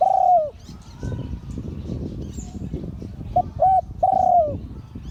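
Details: Spotted dove of a prized auspicious type cooing: a long falling coo opens, then after a pause a short note, a brief coo and a drawn-out downslurred coo, with low rumbling background noise and faint distant chirps.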